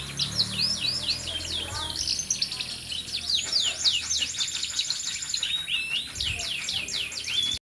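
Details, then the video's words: Canary singing steadily: looping whistled sweeps and rapid trills run almost without pause over a faint background hum. "burung kenari"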